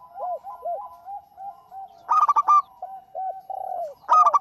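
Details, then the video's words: Energetic local zebra dove used to prompt other birds to sing: soft bowed coos in a loose series, a bright rapid burst of ringing notes midway, more coos with a slight tremble, then another burst. "Suara Burung PERKUTUT LOKAL GACOR"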